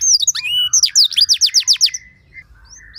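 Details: Canary lure song: a burst of high twisting chirps and a quick series of sharp downslurred notes lasting under two seconds, then quiet with faint distant notes.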